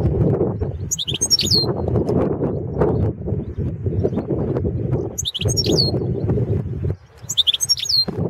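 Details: European goldfinch of the Balkan subspecies Carduelis carduelis balcanica, recorded for the 2017 World Championship in Goldfinch Song. Three short bursts of high, rapid twittering and tinkling notes are heard over loud, continuous low rumbling noise.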